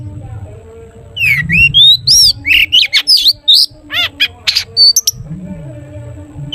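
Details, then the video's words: Long-tailed shrike singing to prompt others of its kind: a rapid, varied stream of squeaky whistles, harsh chattering notes and upward slurs, about three per second, with low background hum. "cendet gacor TOET TOET buat pancingan cendet agar bunyi"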